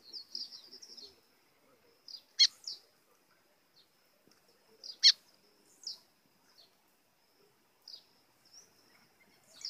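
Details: White-throated seedeater singing in azulão style as a call to provoke birds: an opening high trill, then scattered thin high notes and two loud snapping clicks a few seconds apart.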